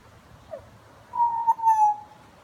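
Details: A butcherbird sings a soft low note, then one long, pure, flute-like whistle that drifts slightly downward over about a second.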